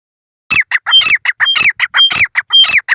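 A grey francolin gives loud, harsh, squawking notes in a fast, rhythmic run, roughly two notes every half second, with brief clear whistles between them.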